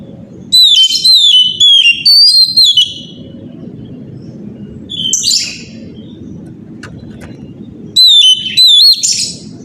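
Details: Oriental magpie-robin in loud morning song, a lure to make other magpie-robins answer: a run of ringing whistled notes with up-and-down slurs, a scratchy burst in the middle over low hum, then another short series of whistles with a harsh ending.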